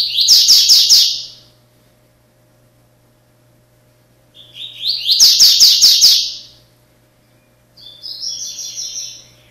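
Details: Double-collared seedeater of the orange-breasted, blue-billed form singing its straight song of bright, rapid phrases of high sweet notes, two bursts a few seconds apart, then a softer buzzy phrase; faint low hum behind.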